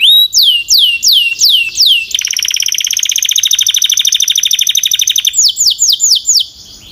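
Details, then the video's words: Canary in full song: a row of downslurred high whistles, then a long rapid rolling trill, then more falling whistled notes fading away. "Relax with the Most Popular Canary Singing - Beautiful Melody"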